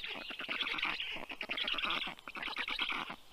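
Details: Rescued black stork chicks aged 29 days begging while fed at a vet clinic in Tartu, Estonia, mid-afternoon on 20 June 2022; a continuous chatter of harsh, quick pulses rising and falling in loudness.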